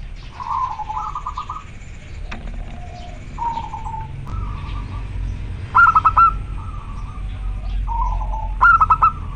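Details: Male local zebra dove calling to a female, a very clear call: a run of trilled, purring coos at mid pitch, repeated in short phrases with quick rattling bursts, over low rumbling background noise.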